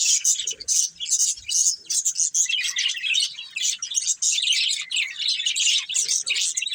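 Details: Breeding pair of colourful budgerigars chattering nonstop: dense, scratchy high chirps and warbles overlapping in quick bursts, with a few soft low knocks early on.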